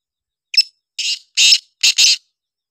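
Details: Black francolin calling: a short sharp note followed by harsh, grating, broadband bursts in a rhythm of one, one, then a quick double, about two seconds in all.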